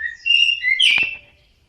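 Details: Orange-headed thrush singing, a recording used to make caged birds respond: a clear whistle stepping up and falling, ending in a loud harsh burst that fades quickly.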